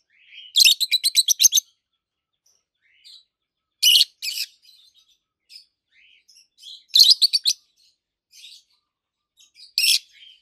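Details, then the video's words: Two adult peach-faced lovebirds, both green, one red-faced and one yellowish white-faced, chirping: rapid bursts of sharp, high, shrill chirps in quick trains, a burst every three seconds or so, with soft twitters between. "Lovebirds Sounds - Peach-faced Lovebird"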